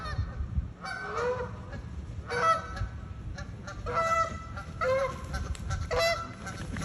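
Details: Angry goose chasing, giving harsh, nasal honks in short bursts roughly every second, some doubled and rasping, over steady low rumbling background noise.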